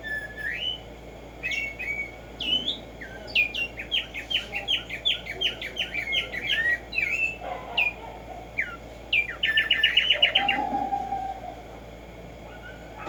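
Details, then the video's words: Black-striped sparrow, locally Tumba Yegua, in nature: many varied whistled slurs and chirps in loose sequence, a lower note or two from another sound, then a fast tight trill of repeated notes near the end. "HACER TRINAR a Tumba Yegua Audio para estimular el CANTO a estas bellas aves en la NATURALEZA"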